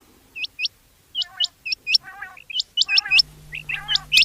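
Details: Rain quail calling: sharp, high, hooked whistled notes, mostly in quick pairs and repeated irregularly. Softer layered chirps sit beneath them, and a low hum comes in near the end.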